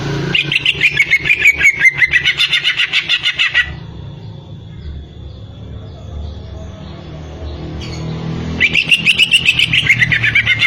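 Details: Greater green leafbird song in two bursts: a long run of rapid, high, evenly pulsed chirps gently dropping in pitch, then a quiet pause with low background rumble, then the fast chirping resumes.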